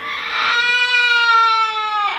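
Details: Parrot mimicking an infant's cry, producing one long, loud, tonal wail that swells, stays level for about two seconds, then cuts off with a brief rasp.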